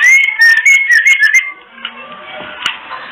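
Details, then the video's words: Female white-rumped shama kretekan call for rousing males into breeding condition: a quick series of whistled notes, some rising and some wavering, with crackling ticks, then a soft noisy tail. "Kretekan murai betina"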